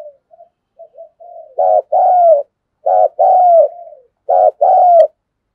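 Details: A decoy spotted dove in the thunder-voice style runs through thúc, gù and gáy gọi. Quiet soft hoots open, then three strong two-part coos, each a pulsed note leading into a longer, slightly descending tone.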